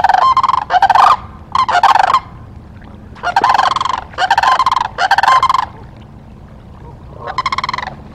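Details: Ospreys on their nest at Charlo, Montana, 17 October 2023, live nest cam: six bursts of rapid, piercing chirped notes, clustered in pairs and triplets with short pauses, against a low steady background rumble.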